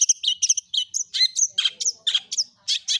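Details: Long-tailed shrike in active, full song, used as a lure recording to get other shrikes singing; a fast run of bright, chattering chirps and short scratchy notes, tightly packed and repeated with hardly a pause.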